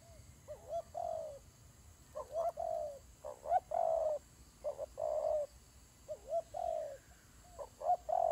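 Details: Fighting doves heard a little further off: separate groups of low, hollow coos, some with a quick upward slide, spaced by quiet gaps over a faint hum.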